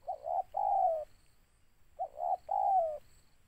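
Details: Spotted dove calling, a bird kept for lure trapping: two phrases of soft low cooing, each a short coo then a longer drawn-out coo sliding slightly downward, separated by a brief pause, in a quiet setting.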